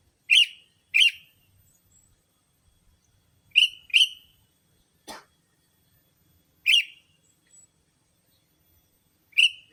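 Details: Sooty-headed bulbul lure sound for attracting bulbuls: crisp harsh chirps in pairs and singles at uneven intervals, plus one brief click midway, otherwise quiet.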